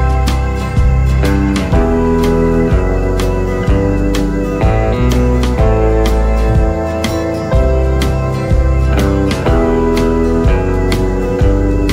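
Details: Steady instrumental music with guitar and organ tones fills the whole passage, with no animal calls audible.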